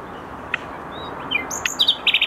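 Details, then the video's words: Nightingale song fragments from a garden in Tokat, Türkiye. A few isolated chirps and a thin whistle come first, then a short burst of rapid, bright repeated notes near the end over a soft background hiss. "bülbül sesi Bülbül / Common Nightingale"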